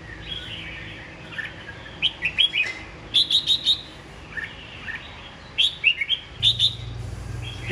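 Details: Red-whiskered bulbul kept in a cage for nearly a year sings vigorously. Clusters of quick, sharp, chirpy whistles recur every second or two, and a low rumble of background noise joins near the end.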